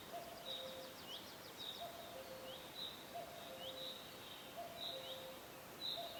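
A cuckoo gives low, soft two-note falling calls about every one and a half seconds, over high, thin chirps and whistles from other forest birds.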